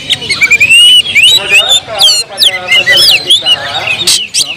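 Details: Oriental magpie-robin in emotional, agitated song, played as a provoking lure: rich, continuous stream of rising and falling whistles, slurred notes and chattering trills, with a rasping burst near the end.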